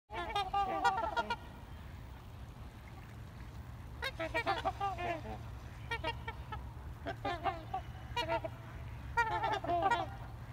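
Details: Trumpeter swans in a heated exchange: bursts of loud, nasal, horn-like honks in clusters separated by short pauses, several birds calling over one another, with a steady low hum beneath.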